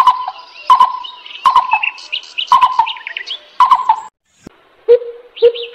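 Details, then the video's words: Lesser coucal calling: a series of short, full notes repeated about every 0.7 seconds with sharp clicks, then two softer, lower notes after a brief pause, with high chirping from other birds over the top. "suab tua yuag me quaj dib tuaj zoo heev | bìm bịp nhỏ"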